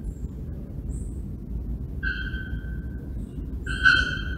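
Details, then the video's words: Bare-throated bellbirds (Procnias nudicollis) in São Paulo Botanical Garden, Brazil, August 2024, give two loud, ringing metallic notes, a long sustained clang then a harsher stronger one, over a steady low rumble. "Arapongas vocalizando"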